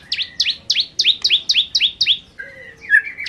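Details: Bar-winged prinia of the 'kristal' type, singing vigorously in the rapid 'nembak' style: about nine sharp, high, downward-sweeping notes, each trailed by a lower buzzy tail, roughly four per second, then softer scattered chirps.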